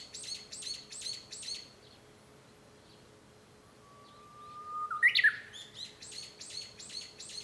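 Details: Japanese bush warbler heard from a home room on 5 May 2013, giving a held whistle and a sharp flourish midway. Another bird's rapid series of buzzy, repeated chirps is heard before and after.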